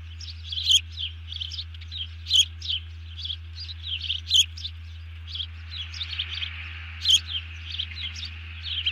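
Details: After snatching a fish, a bald eagle sounds the alert as its mate drops low, July 31, 2020: piping, chirpy notes in a fast chatter, with sharper accented calls roughly every two seconds, constant low hum behind.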